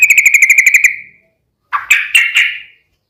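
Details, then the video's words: Yellow-vented bulbul 'ropel' song meant to draw a reply: a fast even trill of about ten bright notes fading out, then after a pause three louder, slurred, bubbling notes. "trucukan gacor ROPEL PANJANG"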